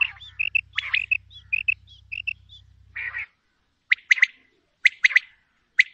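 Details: Calls of a female common quail: quick runs of short chirping notes over a low hum, then, after a pause, sharp clipped double and triple notes spaced about a second apart.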